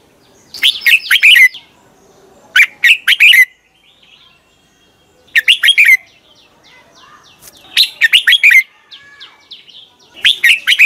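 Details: Red-whiskered bulbul morning training song meant to push young birds to sing vigorously: five lively bursts of sharp whistled notes, each a quick cascade sliding downward, with thin chirps and short pauses between phrases.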